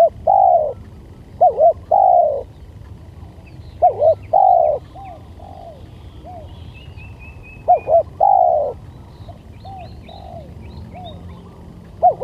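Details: Spotted dove lure sound with repeated phrases of two quick coos and a long drawn-out mellow coo, roughly every four seconds, softer echo-like coos between, faint high chirps in the background.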